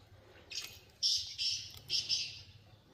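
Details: Black francolin in the wild giving a rasping, grating call of three hoarse bursts within about two seconds, with a soft low hum beneath.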